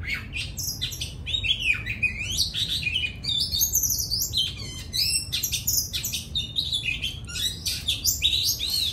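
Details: Captive Oriental magpie-robin at the end of its moult. It sings a rich, continuous, varied song of loud whistles, rising and falling slurs and quick chattering notes without pause.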